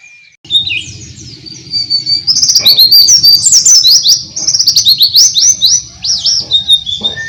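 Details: Oriental white-eye in open-beak song, with Dakbal, Pacitan and Muria birds set against each other: loud, shrill, fast warbling twitters that grow busier midway, with a steady low rumble in the background.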